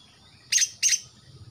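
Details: Young male greater green leafbird from Kalimantan, just past spotted juvenile plumage, black on the front of the neck, singing actively. Two short harsh broadband chips about a third of a second apart, over quiet low background hum.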